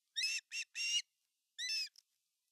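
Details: Male osprey at a Finnish nest on 18 August 2020, bringing a giant fish: three high, whistled, harmonic-rich yelps in quick succession, a short pause, then a fourth, with a faint brief chirp after it and quiet surroundings.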